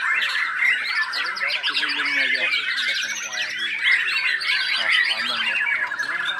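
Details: Murai batu, or white-rumped shama, a hobby songbird whose behaviour changes until it sings fully; loud nonstop song of bright whistles, rapid chattering trills and harsh notes, densely layered and fast.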